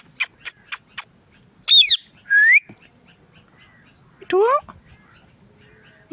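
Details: Indian ringneck parrot talking and making sounds: a few quick clicks, then a burst of chattering notes, a bright upward-sliding whistle, and another harsh descending chatter.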